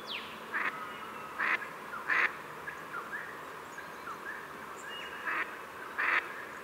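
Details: Pacific black duck giving short, harsh quacks at uneven intervals, some single and some in quick pairs, over a steady hiss, with faint thin chirps from other birds between them.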